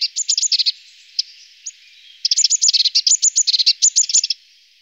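Eurasian blue tit giving rapid bursts of thin, high ticking notes, a brief run, a pause with a couple of single notes, then a longer chattering series.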